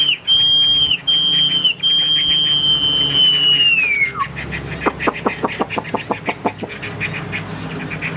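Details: A caged Chinese hwamei, described as a premium bird with a fanned tail, holds long, pure, level whistles that slide downward at the end, then switches to a quick series of sharp clicking ticks.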